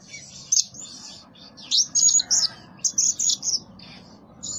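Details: Blue-crowned hanging parrot, used as a lure call and said to call diligently day and night, giving thin, very high, sharp squeaky chirps in short bursts, several in quick succession with brief pauses between.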